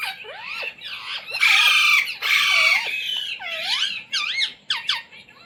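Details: Pet Indian Ringneck parrot trained to say "mummy", "mitthu" and "roti roti"; curving, speech-like chattered syllables surround two long, loud, harsh screams in the middle.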